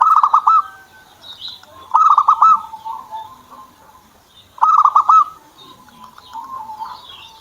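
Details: Zebra dove, a kept bird: loud bursts of rapid pulsed cooing notes, each lasting about half a second. Three bursts come roughly every two to three seconds, with softer warbling and faint high chirps between them.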